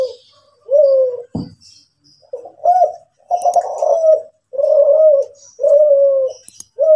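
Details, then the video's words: Kept spotted dove of the Kelantan type, said to have a bigger, more melodious coo than local birds, singing: a run of deep, mellow, slightly falling coos, each under a second long, with one sharp click early on. "suara DERKUKU KELANTAN MANGGUNG"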